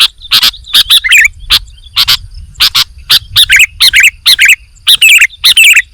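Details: Sooty-headed bulbul singing actively, used as a training recording: scattered bright chirps that speed up into quicker, twisting whistled notes toward the end.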